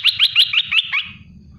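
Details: Olive-winged bulbul, merbah belukar, in a short spicy 'tembakan' burst of six sharp, evenly spaced chipping notes within one second, fading into a brief trailing tail over a low background hum.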